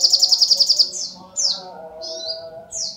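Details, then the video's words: Small sunbird singing energetically: a quick high trill of about eight clipped notes, followed by separate thin whistles that swoop downward. "SUARA BURUNG SOGOK ONTONG GACOR"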